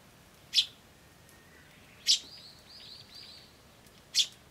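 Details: Eurasian tree sparrow chick recorded 21 May 2013, chirping more feebly than usual: three sharp high chirps spaced about 1.5 seconds apart, with a softer series of short rising notes between them and a steady background hiss.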